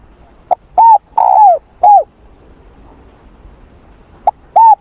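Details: Spotted dove cooing in the morning for voice training: a short clipped note, an arched coo, a longer drawn-out falling coo and a final arched coo, then after a pause the phrase begins again, mid-pitched and clear over quiet background.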